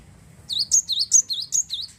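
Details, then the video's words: Java sparrow (glatik wingko), a persistent singer whose song is meant to get other Java sparrows singing; a rapid sequence of about seven high, ringing, looping notes, evenly spaced and bright, following a quiet start. "glatik wingko gacor mampu merangsang burung glatik anda jadi bunyi"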